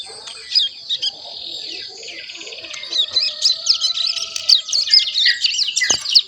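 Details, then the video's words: One-month-old mountain prinia learning its song, actively twittering: sparse chirps at first, then a quickening stream of high, scratchy notes, about four per second, over a faint steady tone. "Cigun Paud Belajar Bunyi Umur 1 Bulan Lebih Aktif Ngeriwik"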